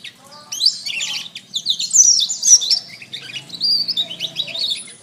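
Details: Canary master song: after a quiet start, fast high trills and rolling warbled phrases run continuously, ending in a rapid buzzy trill.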